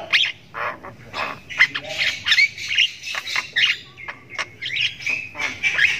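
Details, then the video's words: Young Javan myna chick (jalak kebo) chirping at length while learning to vocalise; harsh raspy squawks and chatter repeated in rapid bursts about every half second, some notes buzzy and rising, continuous throughout. "ANAKAN JALAK KEBO SULTAN NGRIWIK PANJANG"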